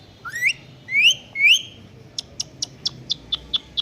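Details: A pet talking Indian ringneck parakeet imitating a cat's voice gives three shrill rising meow-like whistles, then a quick run of about eight sharp high chirps, each a fraction of a second apart.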